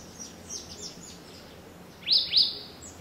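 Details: African pied wagtail in Gisenyi, Rwanda, March 2013, giving two loud, high, sharp chirps close together after a run of fainter, thin high notes; light background hiss.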